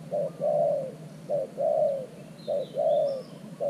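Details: Spotted dove used as a new decoy bird with an earthen trap to lure wild doves, cooing in a low, mellow pattern: a short coo then a longer drawn-out coo, the pair repeated three times, with faint high bird chirps behind.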